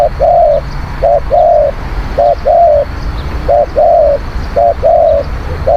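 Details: Cooing spotted dove used for luring wild birds, repeating a steady phrase about once a second: a quick double note then a longer flat coo, five rounds in a row over low background noise.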